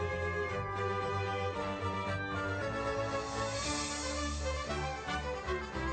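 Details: A steady orchestral soundtrack with sustained tones and a low bass line fills the whole recording, with no animal sound heard.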